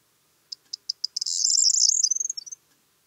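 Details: Corn bunting song: a few separate high ticking notes that speed up, then a dense, jangling, glassy rattle that breaks into quick fading chirps over about two seconds, with a silent background.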